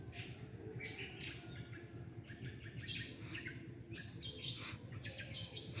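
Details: Birds singing together in the morning near homes, their chirps and short trilled phrases overlapping in bursts, set against a continuous low background rumble and a faint steady high tone.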